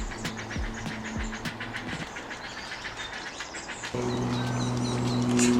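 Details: Young Great Blue Herons in nest trees at a rookery in Marymoor Park, Washington, give rapid, dry clacking notes, two or three a second, in the morning, over a low engine hum that grows louder.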